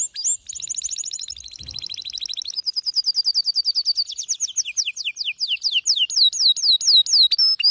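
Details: Male canary in frenzied song: a buzzy rolling trill opens, then a long series of quick repeated notes that slowly change into looping, swooping whistles, repeated about twice a second near the end.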